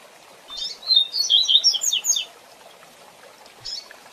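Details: Double-collared seedeater song in the 'Tui Tui Zel Zel' style, used as a training song: a quick run of high, bright, chirping notes lasting about a second and a half, then a short pause and one more note, over a soft watery hiss.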